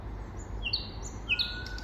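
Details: Common nightingale singing in spring: a few short, clear whistled notes sliding down in pitch, with a thin, steady, high whistle running underneath and a low background rumble.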